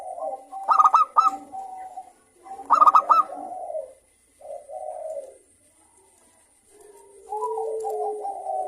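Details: Zebra dove of local stock with a crystal voice, used to stimulate singing in other doves. Two short bursts of ringing hooked notes over soft warbling, then gentle low cooing and a steady murmuring coo.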